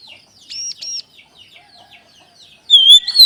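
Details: Oriental magpie-robin (kacer) song used as a prompting sound for training other kacer; after mostly quiet, faint twittering, two short upslurred whistles, then a loud, pure whistled phrase near the end.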